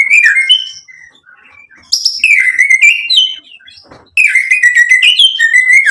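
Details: Full song of a white-rumped shama, provoked into replying and pouring out learned phrases: clear whistles and chattering notes in bursts of about two seconds separated by brief silences.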